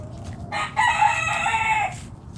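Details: Backyard chicken flock foraging in the morning; a rooster gives a strong crow, with a short opening note, then a long sustained harmonic tone lasting over a second before fading, over a low steady hum.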